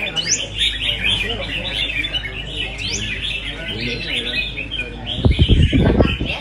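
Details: Red-whiskered bulbuls singing against each other at a competition, a continuous stream of lively chirped and warbled notes, ending with loud thumps and handling noise.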